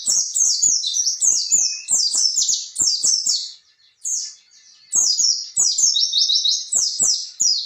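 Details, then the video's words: Oriental white-eye in full, energetic song, played to train and provoke young birds into singing: long bursts of rapid, high twittering notes sweeping up and down, broken by a short pause near the middle, with faint clicks underneath. "pleci gacor ngalas ngerol ampuh buat terapi burung pleci bakalan"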